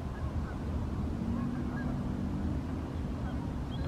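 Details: Canada geese flying in the evening during summer or fall 2020, giving scattered faint nasal honks, short rising-falling notes spaced irregularly, half-buried under a steady low rumble of wind or distant traffic.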